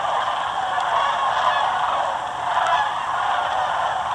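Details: Wild sandhill cranes in winter at Muscatatuck National Wildlife Refuge, southern Indiana, a couple hundred streaming overhead from the swamp toward farmland to forage: a loud, steady roar of countless overlapping rolling calls blending into one continuous chorus.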